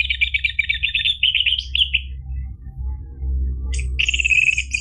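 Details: Orange-headed thrush song meant to coax a caged bird into singing: a fast chattering run of clear repeated notes, a gap filled by low hum, then a bright sustained whistled phrase.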